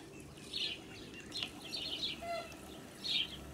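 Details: Muscovy ducklings accompanying their blue mother on a farm, summer 2017, uttering scattered high, piercing peeps and short chirp clusters, separated by brief pauses, over steady low noise.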